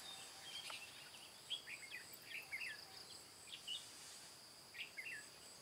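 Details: Red-whiskered bulbul, white-cheeked, singing the 'ché cười' fighting song used to lure wild birds to a trap, recorded 22 June 2018: short warbled notes scattered through the clip over a steady high insect drone.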